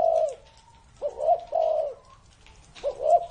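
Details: Spotted dove over thirty years old, giving a few deep, rounded coos. A short note leads into a drawn-out coo, with a quiet pause before the next phrase.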